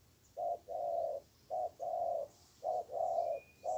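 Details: Spotted dove answering a decoy bird during trapping, an aggressive wild bird with a good voice; clear low mellow coos, a short note then a drawn-out coo, repeated in three phrases about a second apart.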